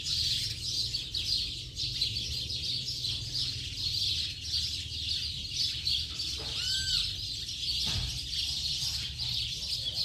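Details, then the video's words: Many house sparrows chirping as a flock in the late afternoon, an unbroken high tweeting chorus with a brief lower rising whistle partway through and a soft low rumble underneath. "Bando de Pardais Cantando Baderna de Final de Tarde!!!"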